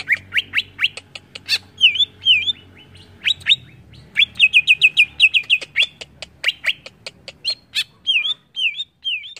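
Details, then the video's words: A greater green leafbird, recorded to provoke other leafbirds, delivers quick series of sharp chirps mixed with curling up-and-down whistles and a fast, even string of repeated notes, with almost no pauses. "BIKIN CUCAK IJO MANAPUN TERPANCING EMOSI"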